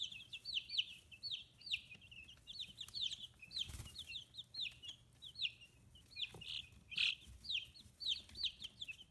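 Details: Free-range chicks aged 15 days, feathers emerging, Hiroshima Prefecture, Japan; steady stream of loud high peeps falling in pitch, repeated several times per second, with occasional thumps.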